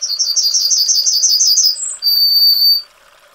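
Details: Yellowhammer (Emberiza citrinella) singing: a quick run of about eight short, high, slightly buzzy notes, then a brief higher note and a long, drawn-out lower final note that lasts nearly a second before the phrase ends.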